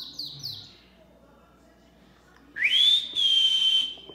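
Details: Pet Belgian canary singing: a few quick descending chirps, a pause, then a loud rising whistle held as a long steady note with one short break, fading at the end; faint low background murmur.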